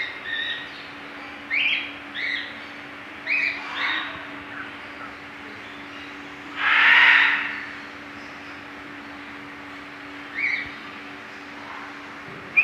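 A cockatiel gives short, scratchy chirps and one louder, harsh screech over a steady low hum.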